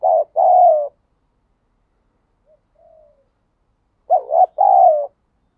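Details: Wild spotted dove in 'thúc gù' cooing, two deep hollow phrases of a brief doubled note and a long falling coo, separated by a pause with one faint soft coo between.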